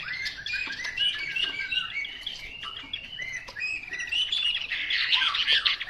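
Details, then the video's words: Chinese hwamei song of tumbling whistled and chattering notes, quieter and busier, delivered in a rapid unbroken stream that builds into denser, harsher phrases toward the end. "Họa mi mộc"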